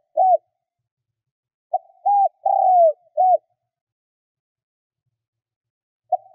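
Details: Kept spotted dove used as a lure for wild birds, giving one full low phrase: a faint lead-in, an arched coo, a long sliding croo dropping at the end, and a short closing note, with fragments at either edge.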